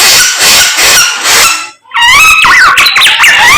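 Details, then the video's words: Morning samyong song opening with rough hissing noise, then after a short silence a run of loud wavering whistles and buzzy notes. "SAMNYONG GACOR Menggemaskan DI PAGI HARI"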